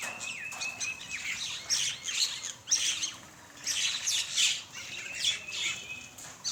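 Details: Common mynas feeding together in the morning in Bangladesh, giving dense, continuous chattering with sharp chirps and rasping notes in repeated surges, many birds calling at once.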